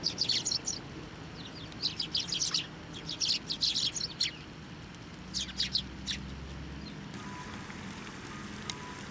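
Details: Hand-fed sparrows on posts at a Tenmangu shrine, 24 November 2023: clustered bursts of high chirps early on, becoming sparser, over a low steady background hum.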